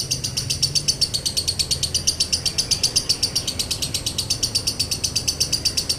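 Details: Lovebird in 'konslet' style with a dry tone, used to draw other lovebirds into song: a steady, nonstop stream of fast high buzzy pulses, about four per second, with little else heard.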